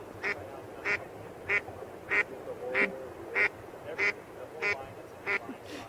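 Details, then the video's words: Single female duck at a pond in cold weather, where people are taking a cold plunge, gives an alarm call while the ducks linger nearby out of curiosity: about nine short nasal quacks, evenly spaced roughly every 0.6 seconds in a steady rhythm. "It's just one duck giving off her alarm call. I"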